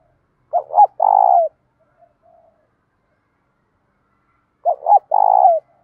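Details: Spotted dove cooing to train and provoke rivals: two phrases about four seconds apart, each a quick double coo plus a long purring coo falling at the end, with a faint soft note between.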